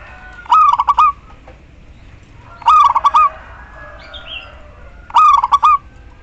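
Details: Female zebra dove, local bird, calling a male with three quick pulsed coo phrases finishing in a drawn note, about two and a half seconds apart, plus a faint short chirp between.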